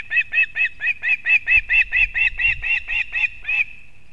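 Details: Osprey mother arriving with fish for her chick at a nest in Kurzeme, Latvia, on 31 August 2024; a steady run of about fourteen sharp, piercing whistled yelps, evenly spaced, with low rumbling in the background.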